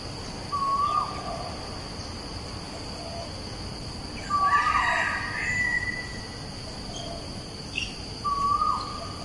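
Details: Three upslurred whistled notes of an Asian koel, recorded 14 September 2021 at Bukit Batok East opposite Bukit Batok nature park; another bird's higher whistle and chatter overlap the middle note.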